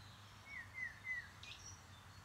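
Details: Common redshank, a shy wader that flushes at 50 to 60 metres, giving three soft, slightly descending whistled notes in quick succession, faint against a quiet outdoor background with low rumble.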